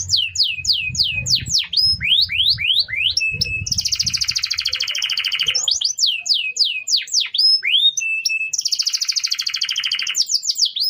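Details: Canary song played as a master recording to teach other birds, with series of high descending slurred notes alternating with two long, loud buzzy rolls and short flat whistled tones, over a soft low rumble.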